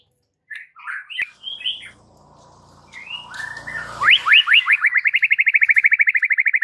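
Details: White-rumped shama provoking song for rival birds: scattered whistled notes over a faint background hum, then an accelerating series of sharp rising notes turning into a rapid even trill.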